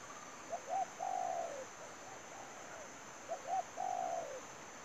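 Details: Spotted dove used as a decoy bird for trapping, giving mid-pitched coos: two short notes, then a long, slightly quavering coo that slides down at the end. A fainter coo phrase follows between the louder ones over a steady high hiss.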